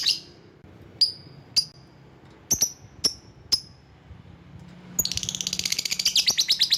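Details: Lovebird lure sound for attracting rivals: crisp, separate high chirps, then a fast, excited chattering run of rapid ticking notes in the last two seconds.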